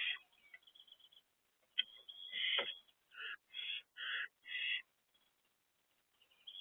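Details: Owlet trio staying in their nest box on the morning of 13 April 2024 gives rasping, breathy screeches: a long drawn hiss, then four short harsh bursts in quick regular succession, followed by quiet.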